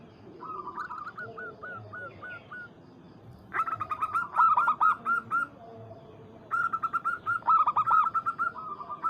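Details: Zebra Dove of Bangkok-local crossbreed, calling to a rival: a quick series of lighter hooked coos, then two loud, rolling bursts of rapid arched notes, each over a second long, separated by quieter cooing from other doves in the background.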